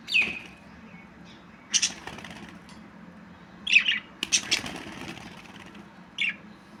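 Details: Scattered short budgerigar chirps, some dropping slightly in pitch, mixed with sharp clicking and rustling bursts and a low hum in the background.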